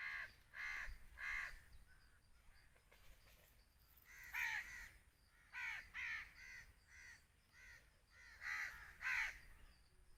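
Black francolin giving loud, harsh, grating notes in short clustered bursts, each phrase a few raspy syllables, repeated several times with brief pauses.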